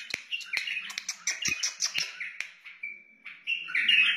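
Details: Wild white-eared bulbul singing, recorded to teach chicks and spur other bulbuls: bright warbled, gurgling notes tumbling over about two seconds, then a steadier fluty phrase rising at the end.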